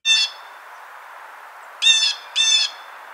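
A Blue Jay gives three harsh, nasal 'jay' notes, each about a quarter-second long: one, a pause, then two close together. A soft hiss sits underneath.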